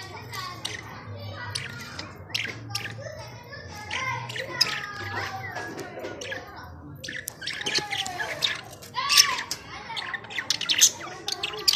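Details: Budgerigar (Melopsittacus undulatus), chirping.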